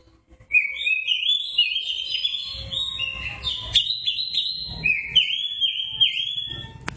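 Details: White-breasted Oriental magpie-robin singing in the fighting (narung) song style called ngobra: loud, continuous whistled phrases that rise, fall and warble, with sharp high notes layered above and a faint low rumble underneath.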